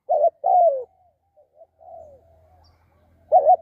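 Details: Spotted dove used for decoy trapping: one full phrase of a short double note and a long, descending coo, then quiet, soft trailing coos before the next phrase begins.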